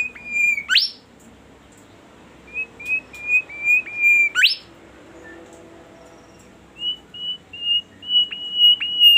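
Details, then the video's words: A bimoli bird sings persistently and melodiously in quick runs of four or five short, level, high whistled notes, broken by two sharp rising sweeps. "burung bimoli gacor merdu suaranya"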